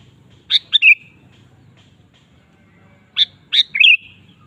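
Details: Sooty-headed bulbul singing frequently, played as a lure to provoke another kept bulbul into song. Two brisk phrases about three seconds apart, each of three or four bright chirped and slurred whistled notes, over faint low hum.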